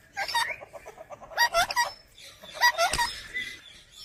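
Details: Green parrot said to talk in Urdu utters three clusters of harmonic, speech-like syllables with some low background noise.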